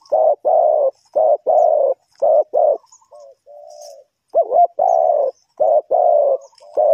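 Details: Spotted dove from Ninh Thuận calling to lure wild birds into a trap: loud, hoarse, rounded coos in quick pairs and triplets, broken by a brief soft mid-phrase, then more strong coos.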